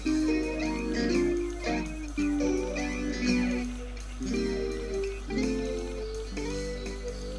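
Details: Plucked guitar music with repeated melodic phrases and a low steady hum underneath, no animal sounds.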